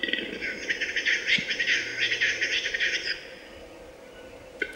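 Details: A western capercaillie sings at a lek in bad weather, about three seconds of rapid, dry scraping and grating notes, then quiet, over a steady hiss of wind and rain.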